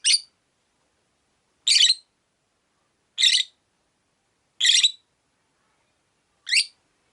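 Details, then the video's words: Five harsh, grating high chirps from a caged Rosy-faced lovebird, one of five kept beside a window, repeated about every one and a half seconds with silence between. "Lovebird Chirping Sounds"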